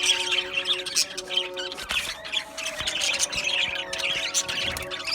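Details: Colony of Australian budgerigars in an aviary keeps up busy overlapping chirping and scratchy warbling, bright and high, with a brief dip near the middle and faint steady low tones beneath.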